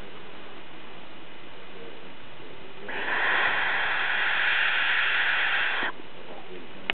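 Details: One of three barn owl chicks in an exposed nest on a ledge under ivy, Co. Kerry, 2009, gives one harsh, breathy hiss lasting about three seconds over a low background rumble, ending in a sharp click.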